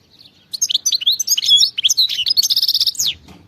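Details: European goldfinch, a wild bird, delivering a loud rapid jangling song of high twittering notes and a buzzy repeated trill near the end, about three seconds long.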